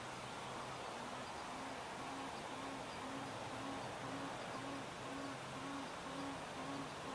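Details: Adult male Tawny Frogmouth calling after sunset beside Gardiners Creek in a suburban Melbourne park, Australia, 18 February 2024: a low, soft oom repeated about twice a second, steady and even, over a loud broad hiss of background noise.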